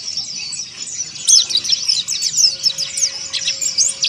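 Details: Harsh 'ngeriwik' song of Oriental white-eye, meant to provoke rivals: a fast, unbroken stream of very high squeaky chirps and slurred twitters, growing louder after the first second.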